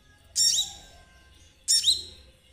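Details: Konin singing, used as a lure to set ninja sunbirds singing; two loud, very high squeaky notes with a sweeping, falling tail, about 1.3 seconds apart, over a faint low hum.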